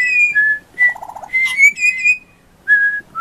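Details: Juvenile pied butcherbird singing very high: sustained fluting whistles that step between pitches, with a short low stuttering passage early on, then more clear held notes.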